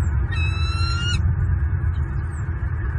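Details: Bald eagles at a nest in Southwest Florida on 27 January 2023, where the adults feed two eaglets: a single high, whistled note that rises slightly over nearly a second, rich in overtones, above a steady low rumble of wind.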